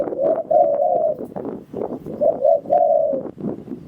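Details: Spotted dove lure call for trapping wild doves: low, mellow coos in short paired notes, then drawn-out falling coos, with steady rustling and low background noise throughout.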